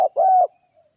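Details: Spotted dove (tekukur) kept as a lure for wild doves gives a clipped note followed by one sustained, even coo that fades out.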